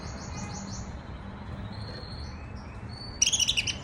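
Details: A pet canary's first attempts at song, a soft subsong called riz-khani. A quick high trill opens, then thin level whistles follow, and the clip ends with a short, louder burst of buzzy chattering notes.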